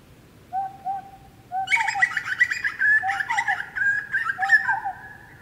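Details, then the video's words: Grey butcherbird in the Australian bush: a few soft low whistles, then a loud burst of noisy, harsh cackling notes mixed with fluty tones, rapid and uneven for about three seconds before easing to softer whistles. "Grey Butcherbird Calls & Song"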